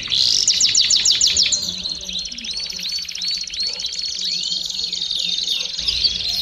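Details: Singing Belgian canary, pouring out fast high trills, with a few sharp descending notes at the start, followed by repeated arched slurred notes over a steady rattle.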